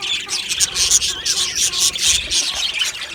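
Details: Happy Australian budgerigars in a colony chirping together: a dense, continuous chatter of high twittering, squeaky warbles and short chirps overlapping without pause.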